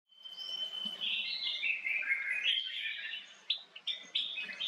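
A male cut-throat finch gives a soft, buzzy, chattering run of notes, then a few short, separate chirps near the end. There is faint background hiss.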